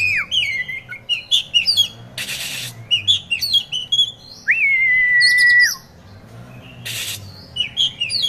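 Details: A caged prospective contest Oriental magpie-robin sings quick bright slurred whistles and chirps, one long level whistle held about a second, with two brief loud rattling bursts breaking in.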